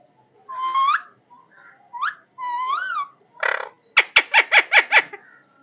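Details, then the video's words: Parrot giving a varied run of sounds: rising whistled notes, a short buzzy burst, then a quick series of about six sharp, clicking chirps near the end, with brief pauses between phrases. "parrot voice parrot Love voice"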